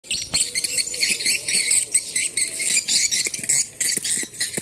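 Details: Swiftlet calls played back through a portable speaker to check a site for swiftlets: dense, high, buzzy chattering and twittering runs without a break, with faint low patter beneath.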